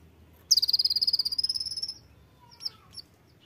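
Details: Oriental white-eye (pleci) song: a rapid run of about twenty high, thin, evenly spaced chips, sliding slightly downward and fading over about one and a half seconds, followed by a few faint scattered notes against low background hum.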